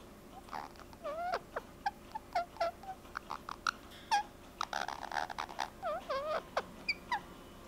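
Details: A pet rose-ringed parakeet, during its first cuddles with its owner, gives a quick series of soft, squeaky chirps and short whistled notes, some rising and falling, with a few sharper clicks between them.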